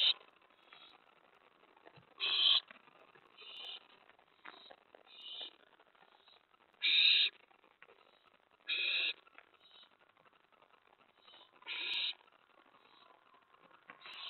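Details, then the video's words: Owl begging at its nest during a late-night prey delivery, May 15, 2017, 11:28 PM: a series of rasping, hissing screeches, about seven bursts in fourteen seconds, at uneven intervals, with softer hisses between and faint background hum. "May 15 2017 11:28PM Lookout Delivery/Brought In To Eat!"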